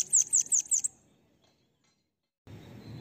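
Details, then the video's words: Bananaquit song used for training other birds to sing: a quick burst of five thin, very high, buzzy descending notes packed into under a second, then silence and a soft rustling hiss. "CANTO LINDO DEMAIS PARA ENCARTE DE SIBITE CAMBACICA"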